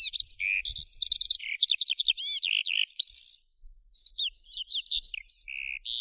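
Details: Eurasian skylark song: quick bursts of sharp chirps and swooping whistled notes, broken by a short silence halfway through before the high twittering resumes.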